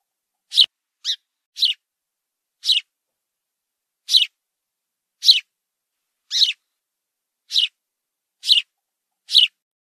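A house sparrow gives ten short, bright chirps at an uneven pace of about one per second against a quiet background.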